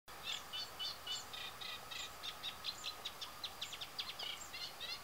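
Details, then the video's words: Eurasian reed warbler sings in late spring, its breeding season after returning from sub-Saharan Africa, at the Tancat de Milia reserve in Sollana, l'Albufera, Spain. It gives a steady, chattering song of scratchy, grating notes in an uneven rhythm over a faint hum. "Eurasian Reed Warbler | Carricero común cantando"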